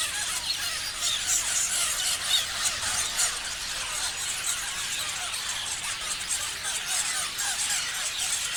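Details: Crowded chorus of chirping parrots: countless thin, high chirps blend into an even, hissing chatter, with a few louder squeaks poking through now and then.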